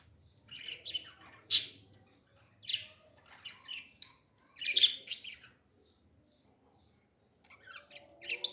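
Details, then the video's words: Baby parrot being hand-fed, producing scattered raspy chirps and squawks, some loud and some soft, with brief pauses between groups. "beautiful parrot 🦜 baby feeding"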